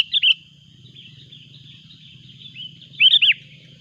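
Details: Sooty-headed bulbul calling loudly as a rival arrives: a short pair of bright, bubbly whistled notes, a pause, then a quick cluster of three rich rolling notes, over a steady high insect-like hum and low rumble.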